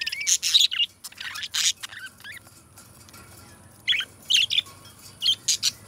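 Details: Budgerigars kept as pets chirp and chatter in quick bursts of high, scratchy tweets. Clusters come at the start and again near the end, separated by a quiet pause.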